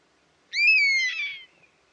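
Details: A loud, long mewing call from a buzzard, a bird of prey, lasting nearly a second. It starts with a sharp upward flick and then sags downward, turning hoarse and wavering at the end.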